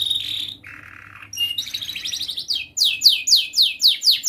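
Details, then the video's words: Young canary song recorded as a tutor for young canaries: a steady high whistle, a low buzzy rattle, then rapid repeated downward-sweeping whistled notes, about four per second, rising in loudness. "Masteran Kenari gacor Muda belajar NATA LAGU, paling Pandai utk pancingan kenari paud belajar bunyi"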